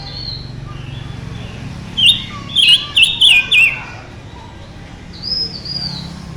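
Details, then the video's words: Mutant silver-eared mesia singing hard, delivering five clear, slurred whistled notes in a fast rhythmic phrase, preceded and followed by soft, drawn-out high whistles over a low background drone. "Tiếng chim ngũ sắc đột biến hót rất căng"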